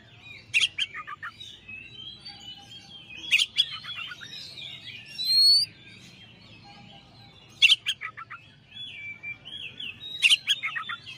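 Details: Master recording of a champion Oriental magpie-robin: repeated phrases every few seconds, each starting with sharp clicks and fast rattled notes, followed by sliding high whistles, plus one harsh rasping burst near five seconds.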